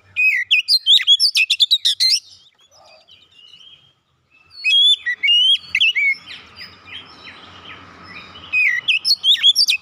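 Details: Lure song of a kacer (Oriental magpie-robin) meant to get a mute bird singing: two energetic bursts of rapid, varied whistles and sharp notes, with a quiet lull and low background hum between them.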